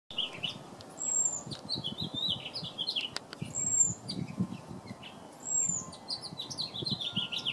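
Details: A male house finch sings to a female, a long, rambling warble of quick, bright notes with a thin high whistle roughly every two to three seconds, over a soft low rumble.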